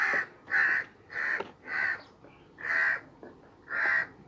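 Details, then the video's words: Crow calling while sitting on a sheep's back: loud rasping caws, six in about four seconds, spaced unevenly with short gaps between them. "Crow Sitting on Sheep Back, Making Noise"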